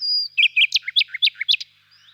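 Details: ['Nightingale in a birch grove on a warm spring evening, singing quietly from afar: a sustained high whistle, then a quick series of about ten sharp chirping notes alternating higher and lower, fading into quiet.']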